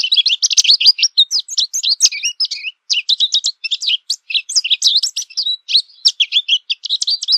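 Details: Long, rambling American goldfinch song, a steady stream of high warbled twitters, chips and rising slurs with only short breaths between phrases.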